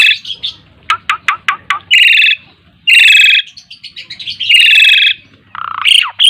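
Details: Asian pied starling, a pet bird over ten years old still singing steadily in gacor mompa fashion: a quick run of sharp clicks followed by loud, harsh, buzzy bursts and a final rising whistle.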